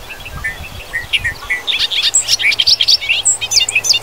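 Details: Bobolink song from Wisconsin grasslands and fields, a loud jumbled cascade of bubbling, gurgling notes that climbs higher and grows faster through about four seconds, with a low hum underneath.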